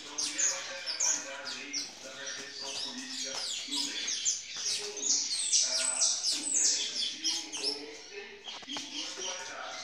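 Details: Intense yellow saffron finches kept by a licensed breeder, 7 September 2019: a busy chorus of sharp high chirps and trilled twitters from several birds, almost continuous, over low background talk from people.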